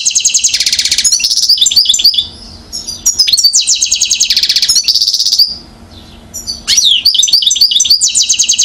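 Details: European goldfinch, one year old, Mouzaia, Algeria, 2012: loud dense buzzy rattles alternating with quick tinkling twitter phrases, in three sections broken by short quiet gaps.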